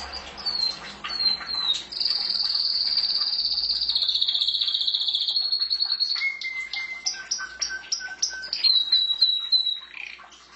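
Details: Pet canary singing: loud, sustained, rolling trills at high pitch, then lower held whistles at stepped pitches and a final quick trill, with faint low rumble behind.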